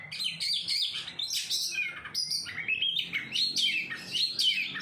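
An Oriental magpie-robin sings a rich, continuous stream of varied, high whistled and chattering phrases, bright and loud throughout, with nothing else prominent.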